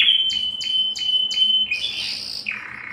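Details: Belgian canary song sung to attract breeding females: a pure whistled tone held steady with short sharp accents repeated about three times a second, then a buzzy rougher phrase and lower trill.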